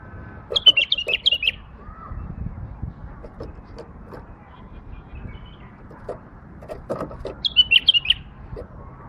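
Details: Pet female bulbul singing: two short bursts of quick, sharp, chattering high notes, one near the start and one near the end, over a low background of knocks, faint clucking and indoor noise.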